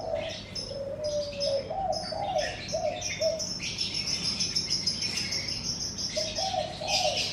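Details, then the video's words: In the morning in front of a house, soft cooing phrases open and close the clip. A long, thin, high whistled trill holds through the middle, with scattered chirps over a low hum. "Suara Kicau Burung"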